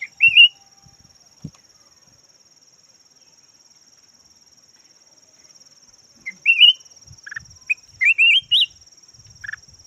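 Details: Caged decoy red-whiskered bulbul, yellow form, giving one wavering whistled phrase, a long quiet gap, then several lively rising warbled phrases mixed with short lower notes, against a constant high whine.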